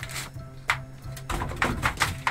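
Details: Three young tawny owls (Strix aluco) at a wildlife hospital snap their beaks in sharp, dry clicks, about five in under two seconds, angry at being handled and moved to a bigger pen, with a low indoor hum behind.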